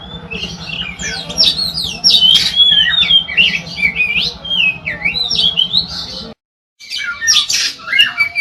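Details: Kacer, the Oriental magpie-robin, in continuous gacor singing used to prompt other magpie-robins: loud jumbled whistles, scratchy squawk-like notes and slurred phrases, a half-second silence, then more song; low indoor hum beneath.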